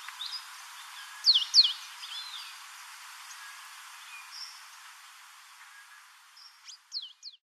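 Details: African pied wagtail at Port Alfred, Eastern Cape, South Africa, gives a pair of sharp, high chirps, then a few quick ringing notes near the end, over a steady background hiss.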